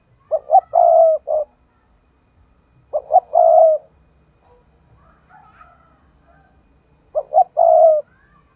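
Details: Lure call of a decoy spotted dove, the 'thúc' call used for trapping. Three low cooing phrases about three seconds apart, each two quick coos and a long vibrating coo, with faint bird chirps in between.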